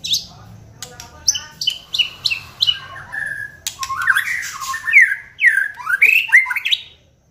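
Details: Lure recording of a white-rumped shama to spur singing. Buzzy, clipped high notes open, then flowing whistled phrases that swoop up and down in a rich, varied run.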